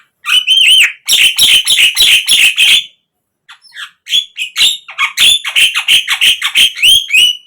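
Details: Javan myna (jalak kebo) song used to draw captive birds into singing: loud, fast chattering series of squeaky whistles and harsh notes, about three per second, broken by a brief pause midway.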